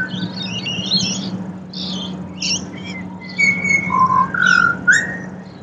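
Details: Pied butcherbird in Australia singing clear, fluting whistled notes, some level and some rising, with softer chattering phrases among them and a steady low hum behind.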